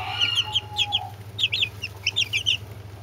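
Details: Brahma chicks together with two Orpington chicks giving bright, high, short peeps in rapid bunches, with a brief steady whine early on and a continuous low electrical hum beneath.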